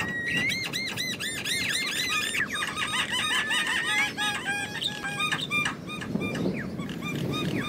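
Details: Wild Javan myna giving a busy, chattering song: fast runs of arched, slightly harsh notes repeated in quick bursts, a brief rising whistle early on, later scattered squeaky and clicking notes over steady low background noise.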